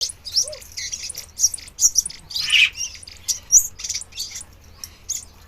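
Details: Crimson sunbird singing and dancing, a series of sharp high chips and short metallic twitters spaced irregularly, with one louder harsher burst partway through.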